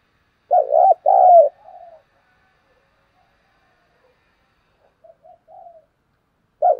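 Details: Lure call of a spotted dove: a loud double coo, low and hollow, followed by a softer trailing note, a long quiet gap, faint short coos, and a new coo starting at the end.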